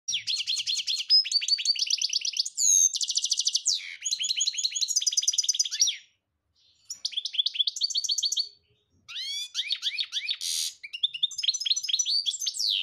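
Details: European goldfinch in rapid, bright song: fast tinkling twitters, liquid trills and buzzy notes run together in long bursts, broken by two short pauses.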